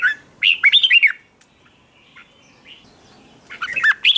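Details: Red-whiskered bulbul in training, morning song meant to spark competitive singing: a fast bubbly phrase of looping whistled notes, a quiet gap with faint chirps, then another tumbling phrase at the end.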